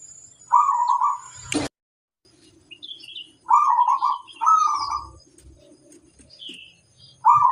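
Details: A local zebra dove master bird sings actively. Rolling trilled coos come in bursts a few seconds apart, with a sharp click near the start and faint background chirps.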